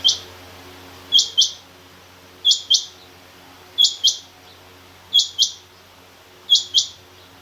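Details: Female rain quail (Dhoghla batair) calling: sharp, high double notes, each pair like a quick 'whit-whit', repeated about every 1.3 seconds, six pairs in all, over a quiet background with a faint low hum.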